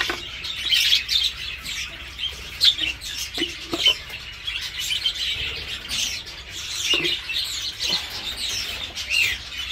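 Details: Breeding flock of caged Dutch-type budgerigars, with young fledging from the nest and hens laying again; busy high twittering and scratchy warbles from several birds, broken by occasional sharp clicks and louder chirps.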